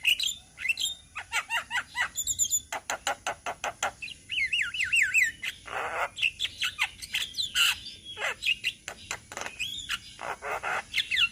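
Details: Group of Javan mynas in Indonesia singing together for bird training: a rapid series of sharp clicking rasps, then wavering warbled whistles and loud grating bursts from several overlapping birds.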